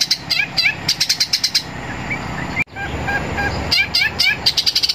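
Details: Long-tailed shrike in an energetic fighting-style song: bursts of quick repeated chirps and sharp upslurred notes, a brief pause, then another run of rapid chirping phrases.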